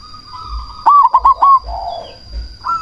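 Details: Cemani zebra dove with a big voice, used as a lure to make other doves call and to heighten breeding drive, gives a single fast run of four bubbling hooted notes. A soft dove chorus continues underneath.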